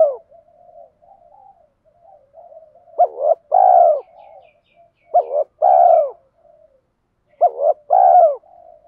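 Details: Spotted dove giving 'thổ'-style coos as a training lure: soft murmuring, then three clear phrases of a short double note and a long falling coo, spaced about two and a half seconds apart.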